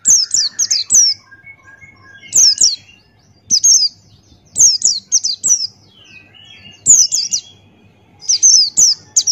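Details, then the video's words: Buxtoni white-eye male singing in energetic 'ngalas' style for tutoring: repeated groups of high, quick, falling chirps every one to two seconds, with softer lower twittering between bursts and a faint low hum. "Masteran Pleci Buxtoni Ngalas Buka Paruh"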